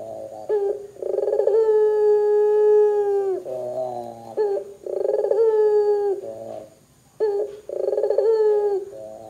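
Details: Barbary dove in full loud calling, used to prompt other doves to answer: rolling purred notes lead into long steady mid-pitched coos that droop at the end, repeated about every three seconds, with softer, lower, buzzy phrases between.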